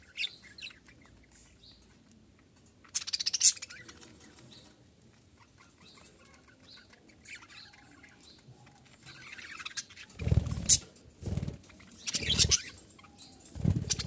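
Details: Two pet budgerigars, best friends, singing and talking: quick, high, scratchy chirps and warbles, with a few louder bursts.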